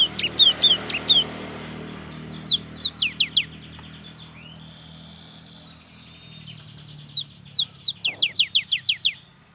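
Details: Young cinereous tit singing vigorously, offered as a lure for lazy birds: short bursts of sharp, high downslurred whistles, a few at the start, a run near two seconds, then a longer rapid series near the end.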